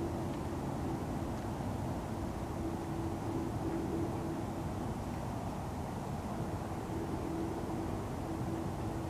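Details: Continuous low rumbling noise like distant engines or wind, with no animal calls heard.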